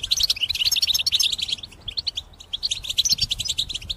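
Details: European goldfinch in a cage, singing strongly as a trapping lure: rapid, jumbled high twittering with liquid chirps in quick bursts and a short pause midway.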